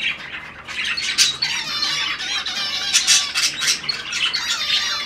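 Zebra finches give rapid, nasal, toy-trumpet calls in overlapping bursts during courtship.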